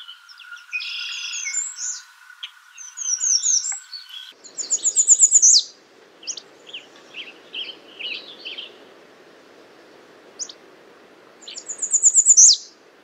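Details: A busy mix of other bird notes and a steady tone opens, then an American redstart sings twice. Each song is a rapid string of high, thin notes ending in an accented downslur, with soft chips between.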